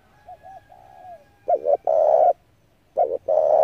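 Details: Spotted dove call used to lure doves into traps: faint, distant falling coos first, then two loud close phrases of a double stutter and a drawn-out coo.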